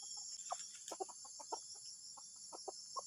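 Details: Junglefowl giving strange, disturbing calls: a run of short, dry clucking notes in uneven bursts, set against a steady high insect drone.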